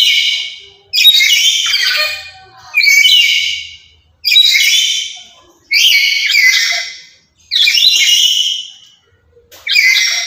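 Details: Very vocal, loud lory, used as a decoy and song tutor for other lories, screams in a steady series of harsh, high rasping calls roughly every one and a half seconds, about seven in all.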